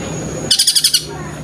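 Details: Long-tailed shrike, a caged songbird, giving a fluent mimicked phrase: six quick, evenly spaced high chirps in about half a second, bright and metallic, over a faint steady background hum.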